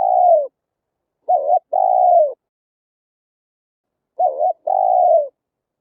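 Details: Spotted dove coo played through a loudspeaker to lure wild birds: a falling low coo, then two paired phrases, each a short dipping note followed by a longer, slowly falling hollow coo, with silent gaps between.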